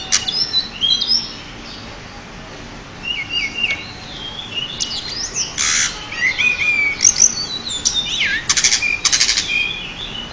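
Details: Pied bushchat, a champion bird recorded as a master, sings scattered high whistled phrases and chirps, a harsh rasp near six seconds, and later a run of sharp chips and buzzy notes.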